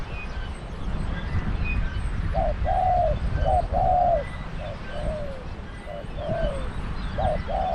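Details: Decoy spotted dove calling during trapping: a run of low hollow coos, short clipped notes mixed with longer drawn ones that slide downward, over steady low rumbling background noise.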